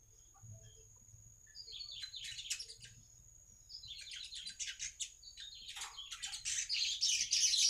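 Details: Baya weaver song meant to attract other weavers: scattered high chips building into a loud, continuous buzzy chatter that swells toward the end, over a thin steady high whine.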